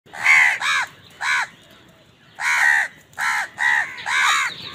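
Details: Many crows calling on a winter morning, said to be fighting over food: loud harsh caws with arched harmonic stacks, delivered in clusters of two and three with short pauses between, several birds overlapping.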